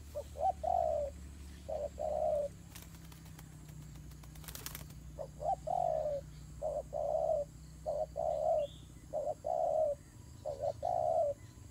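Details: Turtle doves fighting: series of low rolling coos in short groups over about twelve seconds, interrupted midway by clattering knocks and broadband noise.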